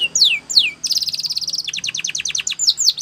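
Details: Canary song meant to train other canaries to sing: two loud sweeping downslurs, then a very fast high rolling trill, a rhythmic run of repeated falling notes, and two final sharp slurred whistles.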